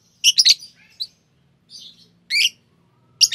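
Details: Two green Fischer's lovebirds chirping; short shrill squeaks and buzzy notes in separate bursts, with a soft low rumble beneath.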